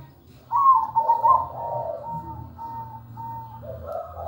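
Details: Zebra dove (perkutut) in melodious manggung song. A loud, rapid, stuttering trill opens the phrase, then evenly spaced drawn-out coo notes follow and fade, ending with a softer rising note over a low hum.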